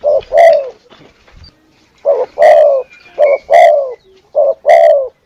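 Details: Spotted dove, used as a lure call, giving loud two-part coos: a short note then a longer falling coo, repeated roughly every 1.2 seconds in three clear pairs after a brief pause.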